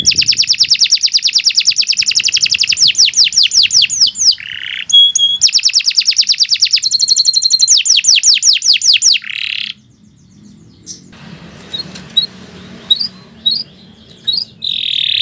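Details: Canary song offered for training other birds, with long rapid trills of high repeated notes at about 140 per minute, then a pause and scattered sharp chirps over a faint background hum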